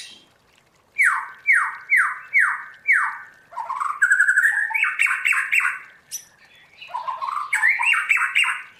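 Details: Trained caged white-rumped shama in forest-voice style: five evenly spaced downward-sweeping whistles, then a fast jumble of chattering, rising and falling notes.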